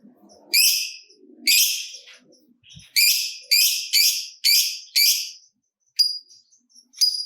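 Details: Lovebird gacor, used as a stimulating call for other lovebirds, giving loud harsh high chirps in irregular bursts, about one per second, with brief thin whistles in between.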